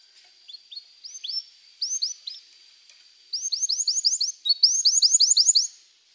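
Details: Canary singing scattered soft chirps, then two rapid runs of repeated bright rising-falling notes, with a faint steady high tone in the background.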